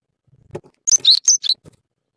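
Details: Japanese tit at its nest in the evening during egg-laying, where a male brings a larva and an unpaired male appears to come courting: a quick burst of high, sharp chirping notes after a few soft rustles.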